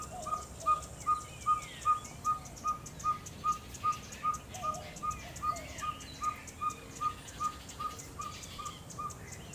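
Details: Ferruginous Pygmy-Owl (Glaucidium brasilianum) in Orotina, Costa Rica, giving a long, steady series of clear, mellow whistled toots, about two or three per second, with other birds chattering faintly behind.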